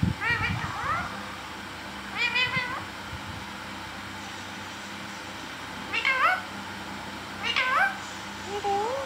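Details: Talking green parrot indoors producing a series of wavering, harmonic, meow-like calls at intervals of one to two seconds, each ending in a falling tail, over quiet background hum.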